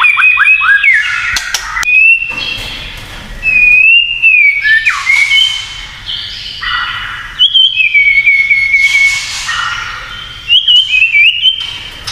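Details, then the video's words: White-rumped shama singing kretekan to stir rivals: repeated bursts of trilled, wavering whistles separated by short pauses, with harsh buzzy notes between phrases. "SUARA KRETEKAN MURAI INI TERLALU BAHAYA BIKIN MURAI LAIN IKUT EMOSI"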